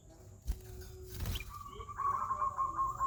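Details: Sooty-headed bulbul singing: after scattered rustles and a soft low note, a clear sustained whistled phrase holds steady for about a second near the end, over a low background hum.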